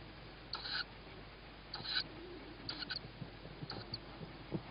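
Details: Young tawny owl begging on the evening of 21 May 2017 at 21:38 while its mother brings food; four hoarse, high-pitched hissing calls spaced about a second apart over soft background rustle.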